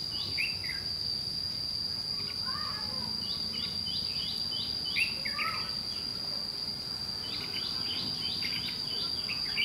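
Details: Red-whiskered bulbul used as a fighting lure in trapping, scolding and challenging the decoy bird: bursts of quick downslurred chirps and short warbled phrases, some overlapping, over a steady high insect-like whine and low background rumble.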